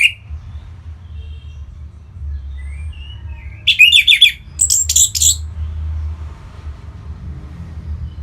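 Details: An orange-headed thrush, punglor merah, in North Bali gives song meant to trigger other birds: mostly quiet with faint thin notes, then around the middle two short dense bursts of high chattering, warbled phrases.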